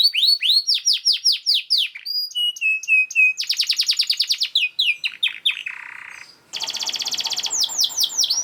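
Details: Canary song played as a master recording to train other canaries to sing: rapid, dense phrases of descending whistled sweeps, trills and sharp chips, switching phrase types every second or so, with a brief buzzy rattle near the end.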